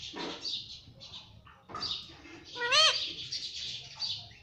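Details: Household talking parrot saying mummy and papa: scratchy high chatter followed by one clear, bent, voice-like syllable and more hissy squawks.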